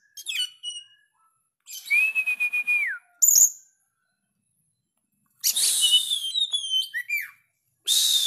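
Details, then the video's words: Oriental magpie-robin singing hard with a sharp voice: a long level whistle with a pulsing edge that falls off at the end, a piercing high note, then a rich rapid warble of clear whistled notes. "Kacer gacor ||suara tajam"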